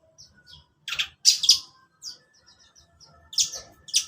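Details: Long-tailed shrike in the morning: scattered high chirps, then loud harsh buzzy bursts near one second and again around three and a half seconds, with quiet faint notes in between.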